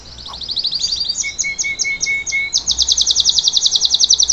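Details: Salsa canary singing live to teach a young bird to sing; fast trilled phrases of high repeated notes, a brief run of low pure whistles in the middle, then a rapid even rattle of sharp chips.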